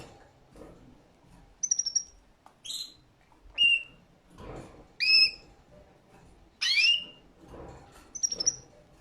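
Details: Singing canary giving a varied run of short high notes: rising whistled sweeps, brief buzzy rattles and one sharp upward slur, irregularly spaced roughly once a second, over faint low background noise.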